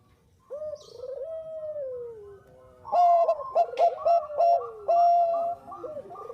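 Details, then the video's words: Lure recording of an actively singing Bangkok-type zebra dove: a drawn-out descending coo, then a cluster of hard, punchy staccato coos repeated rapidly over low background cooing. "SUARA PERKUTUT BANGKOK GACOR AMPUH UNTUK PANCINGAN"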